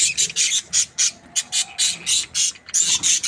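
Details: Breeding pair of Australian budgies, described as happy, repeating sharp high chirps in a steady rhythm of roughly four to five notes per second throughout.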